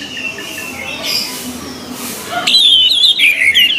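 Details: Orange-headed thrush song used as a training recording for captive birds: quiet background for the first half, then a loud burst of rapid, warbled whistles wavering at high pitch.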